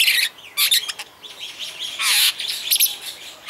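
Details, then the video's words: Superb starling (Spreo superbus) in Vogelpark Walsrode, Germany, singing a dense, scratchy jumble of high chatter, rasping bursts and quick squeaks with barely a pause. "superb starling sings"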